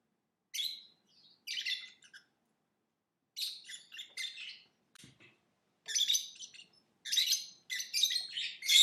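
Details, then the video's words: Lovebird chirping busily with short, harsh, high-pitched notes in loose bursts, growing louder and denser toward the end, with one low click midway. "Lovebird Singing & Chirping Sounds"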